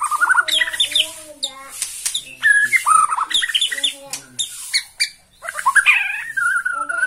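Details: White-rumped shama of the Borneo type, singing excitedly at the sight of a rival: a fast, varied run of clear whistles, slurred notes and short harsh bursts, changing pitch every half second with hardly a pause.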